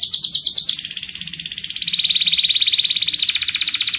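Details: Song of a canary intended to stimulate other birds into singing: a long rolling trill of rapid high notes that shifts pitch slightly, steady and continuous throughout.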